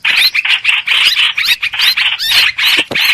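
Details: Streak-eared bulbul lure song for trapping, a continuous run of shrill, bubbly chirps about four to five a second with little pause.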